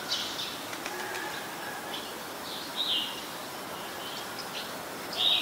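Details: Ashy woodswallow in Ubon Ratchathani, Thailand, 14 December 2019, where it is a very common resident; sparse, scratchy high notes come at uneven gaps, a sharper one closing the sequence, with constant hiss behind.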